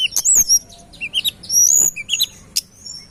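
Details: Energetic Sunda robin (tledekan gunung) song used for bird luring: a dense stream of high, bright, rising and falling whistles in close bursts with almost no pauses.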